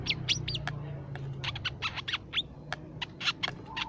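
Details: Crimson sunbird call used as a lure and tutor for songbirds: a fast sequence of thin, high-pitched chips and quick downward-sweeping squeaks, irregularly spaced, over a faint low background rumble.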